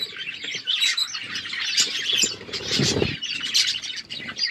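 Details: Budgerigars in an aviary chirp and warble in a busy overlapping chorus, high scratchy notes punctuated by a burst of wing flapping.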